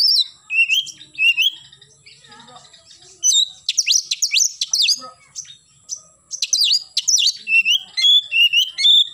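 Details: Oriental magpie-robin singing vigorously in the morning in a loud, varied 'gacor' style. Rising and falling whistles and fast downward-swept chirps come in dense bursts with short pauses, plus some buzzy high notes.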